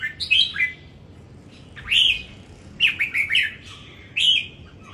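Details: Caged red-whiskered bulbul at a singing competition in Đồng Nai, Vietnam, delivering short bright warbled phrases, sliding and rolling, in three bursts separated by pauses of about a second.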